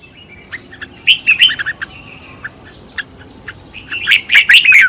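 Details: Red-whiskered bulbul decoy song in 'căng lửa' style for training other birds: scattered chirps and a short whistled phrase, then a loud rising flurry of bright notes at the end.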